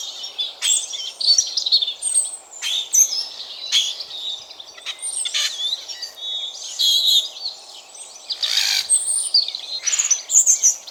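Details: Dawn woodland song of a European robin in spring: repeated bursts of high, liquid warbling and quick slurred whistles, coming in phrases every second or two, punctuated by crackling broadband clicks and a faint steady hiss.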